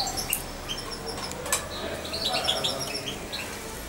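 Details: European goldfinch fledgling nearly two months old, once fed by syringe, with brief high twittering chirps over a constant low room hum and a few sharp clicks.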